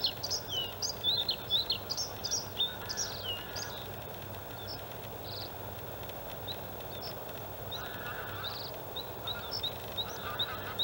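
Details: Male white-spotted Bluethroat singing in the outer reed area of a harbour landfill in Halmstad, Sweden, May; a jumble of varied high chirps, whistles and mimicry-like notes, then a pause and scattered sharp calls amid low background rumble.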